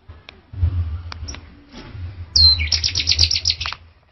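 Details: Low background hum and scattered clicks give way to a male orange-headed thrush's burst of song: a sharp high whistle followed by a rapid stuttering run of bright notes lasting about a second and a half.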